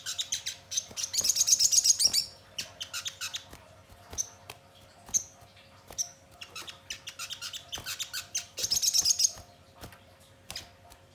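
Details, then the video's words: Sogon song played as a lure to get birds singing and responding: two bursts of dense, very high buzzy twittering trills, with scattered thin high chips and sharp clicks between them. "Pancingan Sogon Bahan Agar Cepat Bunyi Gacor dan Langsung Respon Nyaut"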